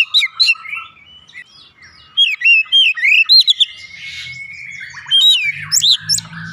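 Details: Oriental magpie-robin song used as a lure to make the bird sing: varied whistled and chattering phrases with rising and falling slurred notes, bursts of sharp chirps, and a faint low hum in the background.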